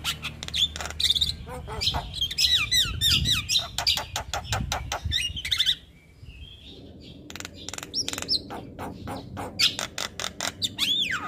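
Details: A raw, untrained Javan myna (jalak kebo) sings without stopping: dense clicks and twisting whistles, a short lull near six seconds, then rapid ticking notes and a final sweeping whistle.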